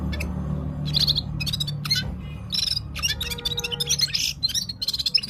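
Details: Gulsar (Himalayan bulbul) from Parachinar singing at full power: bursts of high chirps and short warbled phrases in separated clusters, with a steady low hum underneath.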